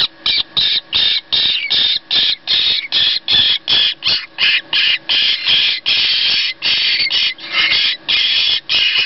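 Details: Hand-reared jackdaw nestlings at a rescue centre, taken in after builders disturbed their nest, give harsh, raspy, high squawks two or three times a second, overlapping into a steady chorus. Nothing else is heard.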